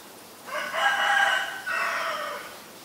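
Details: Common myna (Acridotheres tristis) recorded March 20, 2022 in Ubon Ratchathani, Thailand: two loud, harsh, richly harmonic calls, the first about a second long, the second slightly shorter after a brief gap, over faint steady hiss.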